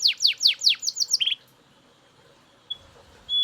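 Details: Belgian canary giving a quick run of sharply falling notes that ends in a short buzz, followed by near silence and a faint thin whistle.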